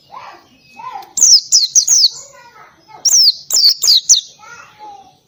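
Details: Pleci singing ngalas style with canary-like bursts: two clusters of quick, high, downward-sliding whistles separated by a short gap, with softer lower warbling notes before, between and after.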